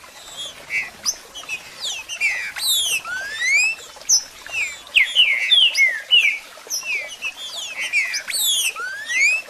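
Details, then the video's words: Green-winged Saltator (trinca-ferro) singing in the 'marcheando' style: a dense run of loud, clear whistled slurs, many rising or falling sharply, tumbling quickly and overlapping in bursts, over faint background hiss. "Trinca Ferro Cantando e Marcheando"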